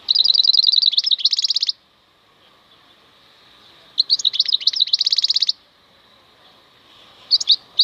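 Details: Wild European goldfinch song, two long bursts of fast twittering notes ending in buzzy trilled runs, then a short pause and a brief closing flourish; quiet background.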